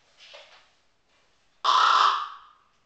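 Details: A common raven kept as a pet mimics an elderly Tibetan Mastiff's snore. A soft, breathy rasp comes first, then a single loud, hissing, harsh burst lasting roughly three quarters of a second.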